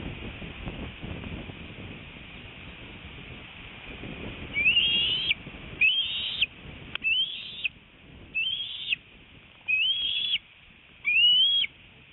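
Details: Adult female bald eagle at a northeast Florida nest, 25 February 2018 around 10:31 am, bringing a fish and feeding her eaglet. She gives six high, thin, whistled notes that rise and break off, each about half a second long, roughly one per second, over faint background noise.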